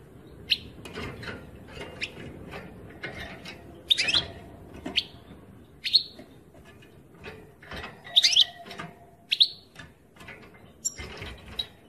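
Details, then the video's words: European goldfinch singing more busily: a run of rapid chirps and twittered notes, bright and slightly buzzy, following one another closely over a soft, noisy background. "Chant chardonnerent"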